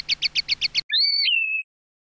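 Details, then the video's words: Common linnet song in field style for educating young birds: six quick paired chirps, then a drawn-out whistled note that drops and flattens. "NUEVO CD CAMPERO PARA EDUCAR PARDILLOS"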